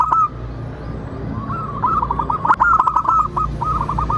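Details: Zebra dove of local stock cooing as a lure for other doves to sing and answer: one brief note, a pause, then a dense string of quick bouncing coos, over a soft low hum.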